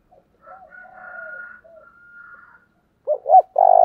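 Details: Spotted dove singing in the 'giọng thổ' style: soft, low, drawn-out coos with a faint higher tone, silence, then loud close-up bursts of deep rounded cooing near the end.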